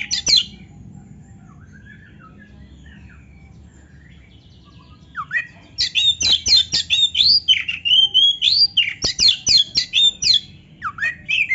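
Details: Oriental magpie-robin (kacer) in loud, energetic song played to rouse lazy caged birds into singing; after a quiet start, rapid high whistled and chattering phrases, some sliding down, repeated about four per second.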